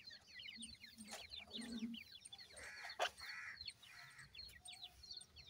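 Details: A brood of captive francolin chicks peeping steadily, with thin descending notes from several birds at once, a few longer, lower tonal calls midway, and a faint low hum underneath.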